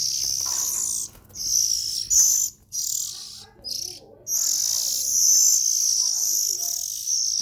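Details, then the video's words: Nestling Oriental magpie-robins call with rough, hissing bursts that build into a long, unbroken rasping stream lasting several seconds, over a faint low background hum. "Tiếng Chim Chích Chòe Than Non Kêu Hay Nhất"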